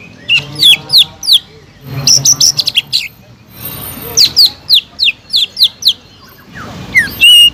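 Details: Greater green leafbird used to provoke other birds into singing, delivering rapid series of slurred, downward-sweeping whistles and chips in irregular bursts, some notes very high and thin, with a faint low hum underneath.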